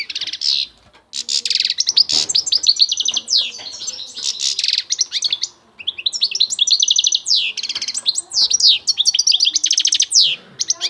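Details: European goldfinch in full song: fast, tinkling high twitters and liquid trills in long bursts, broken by brief pauses, with bright metallic rattles and rapid chirps running on and off.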